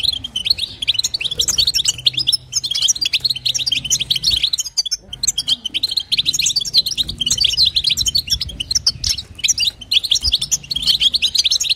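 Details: Female European goldfinch calls to stimulate a male goldfinch: steady, fast twittering and buzzy chirps, high and continuous, with one short lull midway and a low hum underneath.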